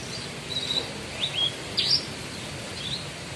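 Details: Horsfield's bush lark kept as a cage bird gives thin, high chirps and short whistled slurs, about five brief bursts in three seconds, over a steady background hiss.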